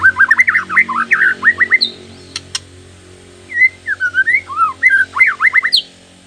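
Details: Shama singing as a lure meant to provoke rival shamas, rapid rolling whistled phrases rising and falling, a pause broken by two sharp clicks, then another burst of looping whistles.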